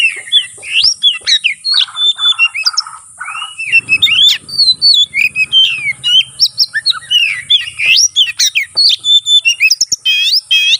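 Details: Oriental magpie-robin in full fighting song, used to provoke rivals into responding: rapid varied whistles, slurred rising and falling notes and sharp chips, with a steady high hiss throughout and a low hum in the middle.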